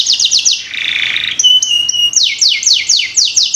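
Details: Lure song of a canary for getting young birds to sing quickly: quick descending whistled sweeps, a soft buzzy passage, a pure level whistle, then another run of sharp falling notes.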